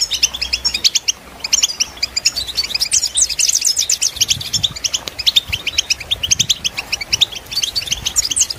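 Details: European goldfinch song for listening and training birds: fast, liquid twittering of high, tinkling chirps that run without pause, bright trills and short buzzy notes woven through, with a faint low rumble beneath.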